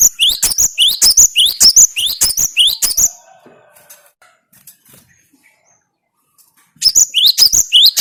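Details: Cinereous tit pouring out fast rising whistle phrases for three seconds, a long pause, then the same sharp ascending notes starting again; quiet between bursts, given as a sound to rouse kept gelatik batu.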